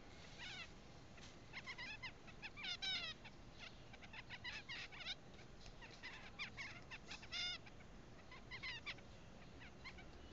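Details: Owl finch singing, recorded 17 June 2015: soft, quick nasal notes in short stuttering phrases, each note with a buzzy, bent quality, repeated in loose clusters over a faint hiss.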